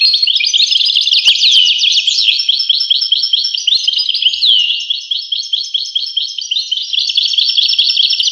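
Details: European goldfinch singing a sustained, rapid, high, chattering twitter, with repeated bright notes and a few quick slurs running throughout.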